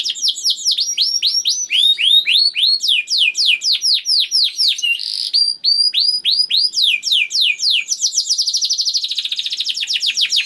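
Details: Canary song used to coax other canaries into singing, from a young bird: long series of bright downslurred whistled notes repeated several per second, switching phrase types, closing with a rapid high buzzy trill.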